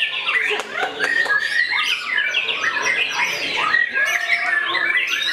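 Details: White-rumped shama singing aggressively while attacking a rival, a dense stream of varied whistles, harsh squawks and rapid chattering notes sweeping up and down, loud and continuous throughout with barely a pause.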